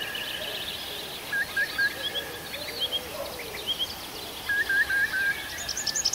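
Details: Night chorus in a June forest in the Arkhangelsk region: short bright whistled phrases of two or three notes recur every second or so above a faint murmur of distant singers.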